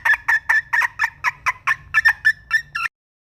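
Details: Red junglefowl hen uttering about twelve harsh, clipped clucks in a steady series of roughly four per second, then falling silent.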